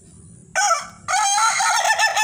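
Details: A white champion laughing chicken (Ayam Ketawa) rooster crows loudly, a short opening note followed by a long, wavering, cackling phrase.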